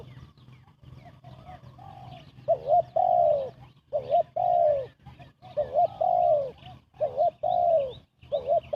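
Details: Spotted dove cooing fast, a call used as a lure for bird trapping: quiet mumbled notes, then loud paired coos, a short wavering note followed by a longer falling one, repeated about every second and a half; faint higher chirps behind.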